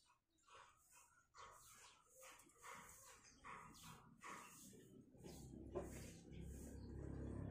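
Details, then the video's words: Five-day-old jalak kebo myna chicks in a cage nest give harsh raspy begging calls in quick bursts of about four a second while free-flying parents, female and male taking turns, feed them grasshoppers and caterpillars; wind or handling rumble builds. "Indukan Burung Jalak meloloh Anaknya"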